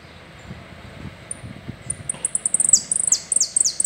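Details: Saffron finch singing a complete song in the style called "el rollo": after a quiet start, very high thin notes build into a fast run of sharp chips and short downward-sliding buzzes, with a faint low rumble underneath.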